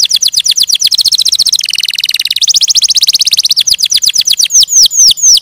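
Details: Canary song of continuous rapid trills, shifting from fast downward-swept notes to a lower buzzy roll, then ending in a few slower, well-spaced falling whistles.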